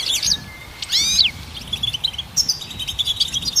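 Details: Goldfinch phrases: a few loud, upward-sweeping whistled slurs, then a quick jingling twitter of high notes, against a faint hiss.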